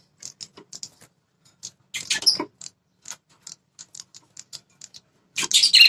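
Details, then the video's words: Prinia with a red head, its call played to provoke territorial males: many quick dry clicks, a short harsh chattering burst near the start and a loud buzzy rattle at the end. "BIKIN PRENJAK LIAR NGAMUK ‼️ Suara Burung PRENJAK Kepala Merah."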